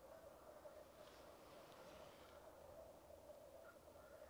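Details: A black grouse lek, recorded with a Rode Videomic Go. The steady, low bubbling chorus runs throughout. A soft hissing rush comes in around the first second, and a short higher note sounds near the end.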